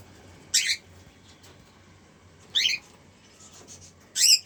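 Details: Cockatiel pair giving three short harsh squawking calls, each rough and high-pitched, spaced roughly two seconds apart, with low steady hum in the background between calls.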